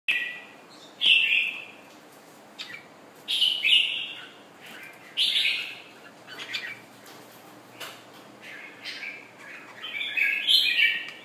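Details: Caged red-whiskered bulbul from Thailand, just finished moulting, singing short bright warbled phrases around two to four seconds apart, each a burst of chirpy notes, with quiet clicks between.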